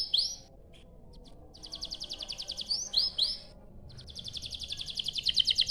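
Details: Rolling canary song meant to set other canaries singing: sweeping whistles, long rapid trills of high chirps broken by brief pauses, soft background noise.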